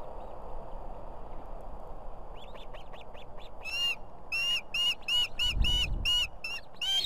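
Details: Osprey female at a nest with two chicks in Estonia on 18 July 2016 gives a run of sharp, rising whistled cheeps, about three a second, growing louder over low wind rumble, calling the male, who soon arrives with fish.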